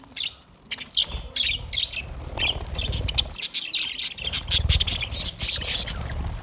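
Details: Chirping budgerigar parrots give rapid high twittering and squeaky notes, growing denser toward the end, over a low rumble.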